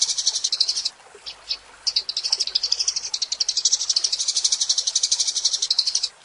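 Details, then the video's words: Eurasian tree sparrow in lively 'gacor' chattering song, a masteran tutor recording: fast trains of high, dry chirps about four per second, briefly pausing near one second, over faint background hiss. "Kicau Burung Gereja Gacor"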